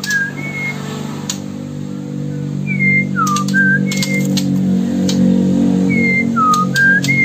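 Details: Sumatran murai batu from Bengkulu, Indonesia, giving pure whistled phrases: short rising and falling slurred notes spaced a second or two apart. A constant low droning hum and scattered clicks are heard in the background.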